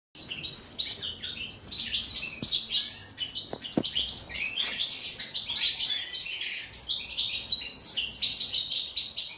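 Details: European goldfinch offered cucumber as a favourite food, singing a dense, rapid twittering stream of bright tinkling notes and short buzzy trills, almost continuous, with a few faint clicks in the background.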